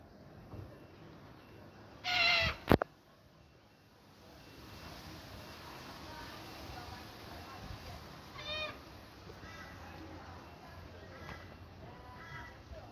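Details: Birds in a tree in Australia, which the recordist thinks are cockatiels, feed on something they love there. One gives a loud, harsh, rising screech, followed by softer, scratchy calls against a background hiss; cockatiel.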